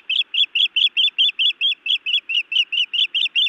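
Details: Agitated female osprey scolding her mate at a Montana nest on 31 May 2017, evening, via live camera; steady, evenly spaced, high whistled chirps follow each other rapidly without a break.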